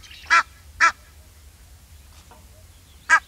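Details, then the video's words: Egyptian goose uttering three hoarse honks, two close together, then a third after a gap of over two seconds. "Egyptian Goose Call"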